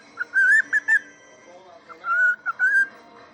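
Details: Cockatiel whistling on one leg after hurting its left foot; a few short bright whistled notes, then longer sustained whistles after a brief pause.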